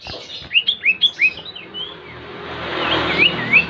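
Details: Lure song of the Common Iora meant to prompt singing: quick upslurred whistles in a rapid run, then a hissing background with two more clear rising notes.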